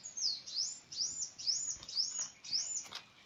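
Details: Bird sound: very high, arched notes that rise and fall, repeated steadily about twice a second throughout, with a light hiss beneath.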